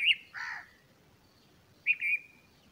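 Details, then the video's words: Bulbul tending and feeding its chicks; a sharp chirp, then a broader harsher note, a pause, and a drawn-out chirp that trails off level and thin. "Bulbul feeding chicks"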